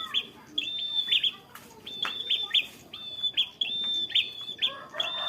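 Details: Fighter prenjak, the bar-winged prinia, delivers a lilting ngalun song held on one pitch, with bright clipped chirps linked by level high whistles in rapid, even repetition over faint background hiss.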